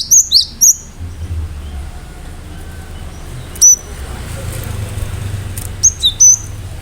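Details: Cinereous tit delivering sharp high whistles to trigger other birds to respond; a quick opening trio of piercing notes, then sparse single and paired whistles after long gaps with low rumble beneath.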